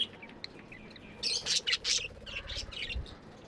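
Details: Caged budgies chatter in a tight cluster of raspy, high chirps midway through, then softer warbles trailing off, with a faint low hum underneath.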